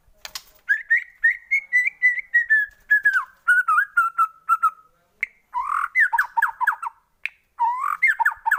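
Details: Lure song of a White-rumped shama meant to stir other shamas to sing: steady series of clear whistled notes gently descending, followed by choppy rising and falling whistles.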